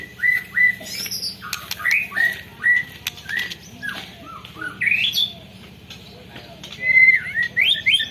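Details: White-rumped shama singing its long rolling canary-imitation song, recorded by mobile phone: a series of clear whistled notes, each sliding slightly, repeated irregularly with a few rising sweeps and brief pauses.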